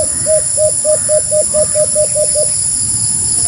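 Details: White-eared brown dove (Phapitreron leucotis) giving a quick run of about ten short, even hoots at about five per second, over steady high-pitched insect droning.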